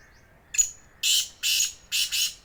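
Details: Black francolin in Sindh, Pakistan: one short harsh note, then three loud, grating, broadband notes about half a second apart, the last split in two, over quiet background.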